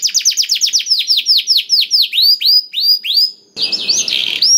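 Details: Canary song used as a lure to get reluctant canaries singing: a fast run of downward-sweeping whistled notes, about eight per second, slowing into spaced swooping notes, then a harsh, buzzy chattering phrase to finish.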